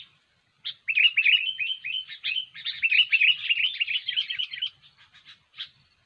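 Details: Kutilang, or sooty-headed bulbul, singing energetically as trapping bait. It gives a nearly continuous three-second stream of fast, bubbly chatter with sharp buzzy notes, then tapers into a few scattered chirps.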